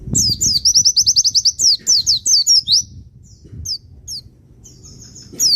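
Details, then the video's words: Javan white-eye of the Pacitan type, a training recording meant to stir other birds: rapid very high trill of descending notes, about six per second, then scattered thin high notes after a pause, with faint low rumble. "Masteran dan terapi pleci Pacitan cocok untuk pancing emosi burung pelici"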